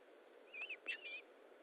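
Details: At an osprey nest during feeding, on 19 July 2012 at 9:43, an osprey gives a quick run of three or four thin, whistled chirps, slurred up and down, over a steady low background hiss.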